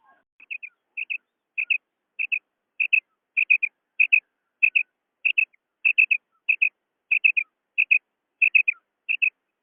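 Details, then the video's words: A female quail gives short, high double notes, repeated steadily about every half second, against a quiet background. "Female Quail sound//مادہ بٹیر کی آواز"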